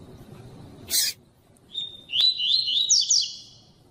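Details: A female Double-collared Seedeater (coleiro tui tui) gives a quick run of thin, high chirps and short wavering notes for about two seconds, after one brief scratchy noise burst; female call used to stir up males.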